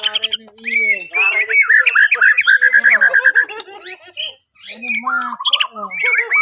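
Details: Borneo white-rumped shama singing, used as a morning prompt for other birds: rapid chattering whistled notes in a fast rolling series, broken by brief pauses and ending with warbled phrases.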